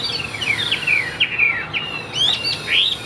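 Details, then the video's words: Newly arrived tame Chinese hwamei in a cage, a good singer, delivers long downslurred whistles and sharp upward-sweeping notes spaced through the phrase. "HM 1697 - CHIM THUẦN - HÓT TỐT"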